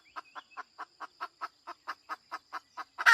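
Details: Female chicken giving evenly spaced short clucks, roughly four to five per second, with a thin steady tone in the background and a sudden loud squawk starting at the very end.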